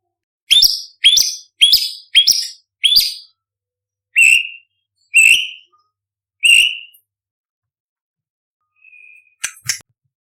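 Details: Imported white-rumped shama (murai batu), a champion contest bird in full, active song with varied bursts and rich song material. Five sharp, harsh notes with strong overtones come about two per second. Three slurred, falling whistles follow about a second apart, then a faint short whistle and a final sharp note.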